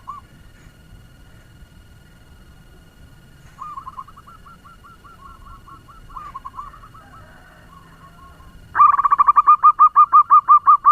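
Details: Local zebra dove lure bird with a fast song meant to set other doves calling; faint, soft coo runs at first, then a loud, rapid series of clipped, bubbling notes in steady rhythm.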